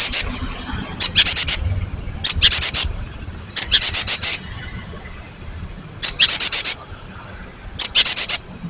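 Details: Cinereous tit in a master recording meant to make other birds answer: dry, high, buzzy churring bursts of several rapid pulses, repeated roughly every one to two seconds over faint background hiss.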